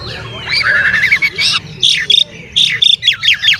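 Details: Oriental magpie-robin singing to stir up rival birds: rich varied whistles and slurred phrases, then separated loud bursts of harsh, chattering notes about every half second, over a low hum.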